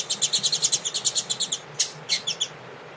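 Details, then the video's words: A double-collared seedeater warming up its 'tui tui' song with a female present sings a fast run of high, bright chirps, about eight a second, then a few spaced notes after a short pause. "Aquecimento Coleiro Tui Tui com Fêmea"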